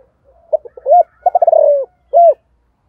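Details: Spotted dove in the morning calling to attract wild doves in 'giọng thổ' style: scattered soft notes, then a fast pulsing run drawn out into a descending coo, ending with one brief hoot.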